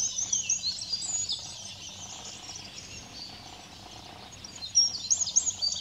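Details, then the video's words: Eurasian wren at Simunas, 2 April 2017, cleaning its plumage between songs; high trilling notes open the recording, fade to a quieter spell, then sharp twittering returns near the end. "Käblik sulestiku puhastamas ja ka vahepeal laulu laskmas"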